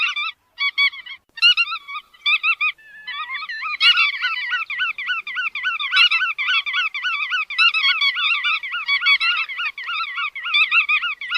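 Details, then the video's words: Chắt đuôi vằn giving a few clipped nasal bursts, then a long unbroken stream of rolling, wavering honky notes, with sharp clicks around the fourth and sixth seconds. "Tiếng Chim Chắt Đuôi Vằn"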